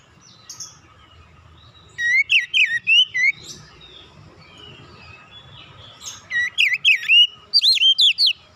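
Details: Oriental magpie-robin singing a relaxed song meant to provoke young untrained birds into singing: two lively phrases of quick, rippling whistles about four seconds apart, each containing several rapid notes.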